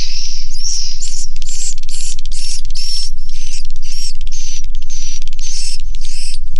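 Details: Swiftlets inside a swiftlet house, a dense chorus of many birds: buzzy, chittering bursts repeated about four times a second, with rapid dry clicking between them over a constant low hum.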